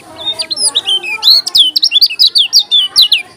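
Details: Lombok yellow-crowned bulbul, a kecial kuning, singing energetically: a rapid run of loud, clear whistled notes sweeping up and down, dense and continuous for over three seconds, with faint lower chatter beneath.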